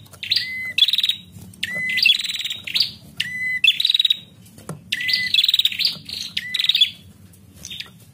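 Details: Calling female bar-winged prinia, used to provoke male song; grouped phrases of fast rattling buzzy notes, each led by a lower steady tone, repeated in bursts about once a second.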